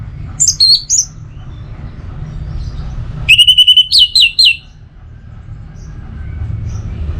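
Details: Orange-headed thrush song: high slurred whistles, then a burst of about six rapid repeated notes. Sharp rising and falling notes follow, over a low steady background hum.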